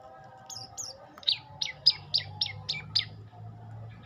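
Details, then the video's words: Olive-backed tailorbird song: two high thin whistled notes falling slightly in pitch, then a run of six sharp, bright chip notes repeated about every quarter second, over a low steady hum in the background. "Kicau indah burung prenjak lumut"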